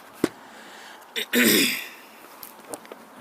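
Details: A person clears their throat and breathes, with a few soft clicks in a quiet room; no animal calls.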